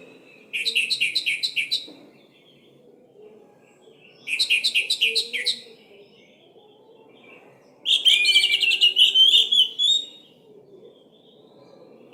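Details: Orange-headed thrush song used as a lure for silent birds: three bursts of rapid identical chirps, the last a loud buzzy rattling phrase, with gaps of about two seconds between them.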